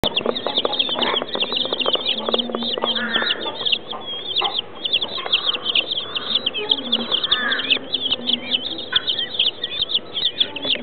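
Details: Chicken chicks at Tobu Zoo in Japan: a dense, continuous chorus of high, thin peeping notes from many chicks, rapid and overlapping throughout, with occasional softer lower sounds beneath.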